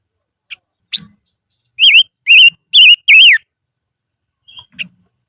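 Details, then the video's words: Silver-eared mesia decoy bird singing in the highlands: a few sharp ticks, then four fast wavering whistles run together, followed by soft clicks and low rustles. "Chim Ngũ Sắc Mồi Hót Trên Vùng Cao"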